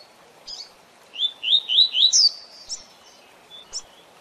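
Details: "Tui Tui Zel Zel" song of a double-collared seedeater, used for teaching captive birds. Four quick rising slurred whistles climb to a sharp high note, then a few isolated high chips follow.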